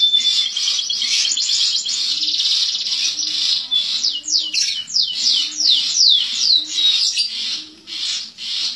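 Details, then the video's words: Champion contest canary sings as it is put out in the sun, an unbroken stream of loud high trills and quick descending chirps, with a soft low repeated background sound beneath. "SUARA KENARI MASTER JUARA KONTES SAAT JEMUR"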